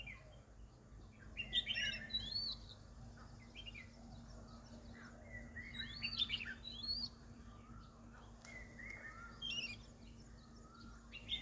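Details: Plumbeous water redstart, a rare transit migrant in Hong Kong woodland, recorded 7 November 2022, gives thin, sharp, high chirps in scattered bursts of quick notes over a low steady hum.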